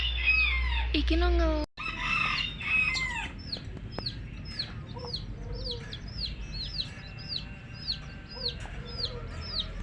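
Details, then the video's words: A hen with her baby chicks: low, harmonic hen sounds open the recording, followed by a run of high, sliding chick peeps repeating at an even pace. "LOVELY Hen Baby Chicks, Witty MURGI Baby "Chicks Chirping" Sound"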